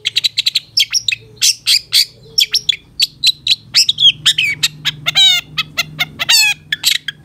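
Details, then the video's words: Cendet, or long-tailed shrike, master training song with rich fill-ins: a dense run of high chirps, then buzzy, harmonic rasping notes near the end, steady low hum behind. "Masteran Suara Cendet Satu Titik Nagen❗Pancingan Cendet FULL Isian MEWAH"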